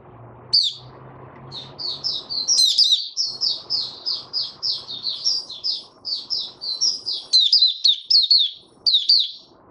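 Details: Male white-eye stabilizing his form in open singing, recorded 8 January 2022: a long run of rapid, high, sweet chirping notes with quick pitch flicks, broken by brief pauses, over a low murmur of background noise.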